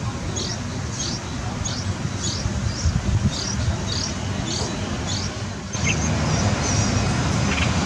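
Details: At a balcony nest, light-vented bulbul parents sing while feeding their two nine-day-old chicks, which also call: thin, high chirps about three times a second, then sparser notes, over a steady low rumble like distant traffic.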